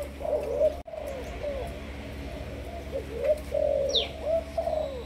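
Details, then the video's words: Spotted dove from Malaysian stock, a decoy bird being trained, cooing in a run of mellow rounded notes, with a thin descending high whistle from another bird and a brief dropout early on. "Cu gáy Malaysia"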